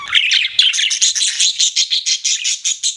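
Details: Pet budgies chirping in a steady, rapid stream of bright, buzzy warbled notes, about five per second, without a break and with no other sounds.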